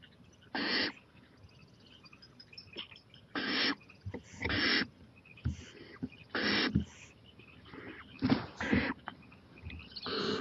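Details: Owl at 11:26 pm on 23 April 2018, venturing onto the porch; repeated harsh hissing bursts every one to two seconds, mixed with short clicks and scraping noises.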